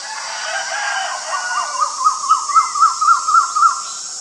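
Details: A male Asian koel calls in a fast, quickening series of about ten short rising whistled notes, growing louder, set against a constant high-pitched insect hum.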